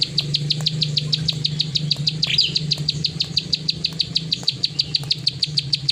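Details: Plain prinia singing its clicking 'klik' song nonstop: sharp high ticks repeated about three times a second, with a steady low hum throughout and a brief extra chirp near the middle.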